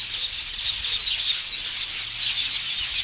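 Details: Village weavers building nests in a large colony in Africa, filmed on safari: a dense, continuous sizzling chatter of many high, buzzy, overlapping calls with no pauses.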